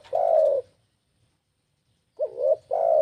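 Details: Spotted dove (tekukur) lure call, used to draw in other birds and set them calling. A long, low, slightly falling coo, then a pause, then a short wavering note leading into another long, steady coo.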